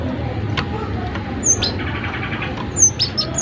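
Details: Cinereous tit in full song, recorded as a tutor track to get other birds singing: short, high, sharply down-slurred whistles given singly and in quick pairs over a steady low hum and background hiss.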